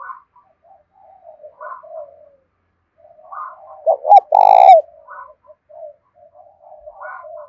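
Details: Cooing of a decoy spotted dove used to draw in wild doves, Hạp Bổi voice style. Soft low coos are scattered throughout. Midway comes a loud cluster of two short hooked notes and one long, full coo.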